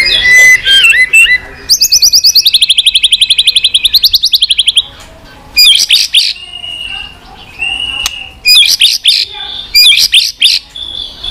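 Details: White-rumped shama, stimulated to sing in many strange voices while flicking its tail, pours out a fast, evenly pulsed trill. Ringing high whistled bursts follow with short gaps.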